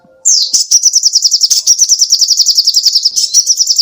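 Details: Lively sogoh ontong songbird song used to train songbirds: a sharp downward note opens a sustained rapid trill of high repeated notes lasting over three seconds.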